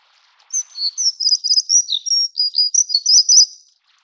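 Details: High, rapid, tinkling song of a plumbeous redstart of Taiwan's endemic subspecies affinis, a stream bird: about three seconds of dense trilled and downslurred notes starting after a short quiet lead-in.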